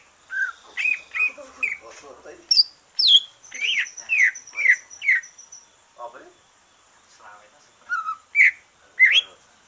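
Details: Green leafbird that has just completed its moult, singing to stimulate other leafbirds: a series of clear slurred whistles and harsh squawky notes in bursts, with a pause midway and a few sharp high notes near the end.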